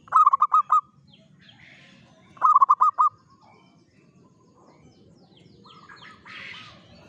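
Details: Local zebra dove in morning song: two quick bursts of five rolling, bubbling coos two seconds apart, then softer distant coos with some scratchy background chatter.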